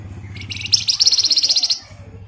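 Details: Javan white-eye in the rapid ngebren song style, used as a lure for training songbirds: one dense, buzzy, fast-pulsed trill lasting about a second, high-pitched and rising into a quick rattle, over faint low background noise.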